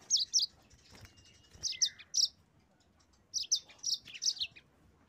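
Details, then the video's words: Yellow-fronted canary song meant to stir rivals into singing: short bursts of high, sharp chirps in clusters of two to five, separated by pauses, with a faint drawn-out whistle between them. "suara burung mozambik gacor pandai memancing emosi lawan auto ngerol gacor"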